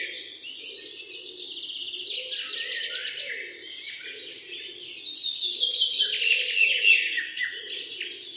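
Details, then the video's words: Birds singing together in the morning, a busy tangle of fast chirps and trilled phrases swelling and fading, over a soft, pulsing low hum. "Relaxing Noise of Birds 🐦 in Morning"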